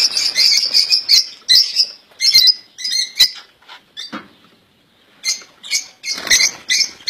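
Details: Caged European goldfinch singing error-free royal goldfinch song: bright, high twittering phrases in quick bursts, a short pause around the fourth second, then more liquid chirping notes.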